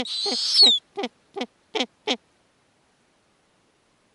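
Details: Snowy owl owlets in a nest in the Arctic, fed lemmings by the mother. A breathy screech with a falling whistle, then five short clucking notes, then silence.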